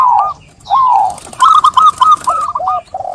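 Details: A local zebra dove sings clear, soft coos: a long gliding note, then a quick run of short rolling notes, ending in longer coos.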